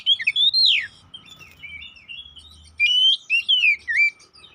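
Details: Oriental magpie-robin used as a lure to provoke fighting; long slurred whistles and a descending sweep, softer warbling, then a closing run of clear whistled notes.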